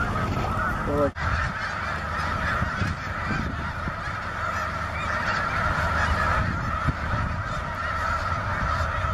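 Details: Large snow goose flock at Broadkill Beach, Sussex County, Delaware, 13 December 2015, with 23 Ross's geese and a cackling goose among them, giving a dense, continuous chorus of nasal, high-pitched honks and yelps over a low rumble.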